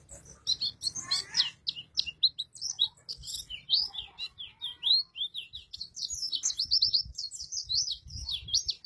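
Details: White-eye pouring out a full, abundantly varied song in the ngalas and ngeroll styles: long unbroken runs of fast, high, whistled and slurred notes, each only a fraction of a second, rolling on without pause; background otherwise quiet.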